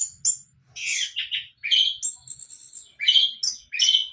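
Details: Young orange-headed thrush learning to sing: short whistled notes and buzzy slurred phrases, some high and thin, others dropping lower, separated by brief gaps.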